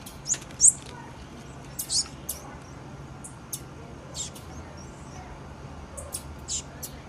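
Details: Female blue-black grassquit uttering brief piercing chips, a loud pair early then scattered softer notes at irregular gaps, with background hum throughout.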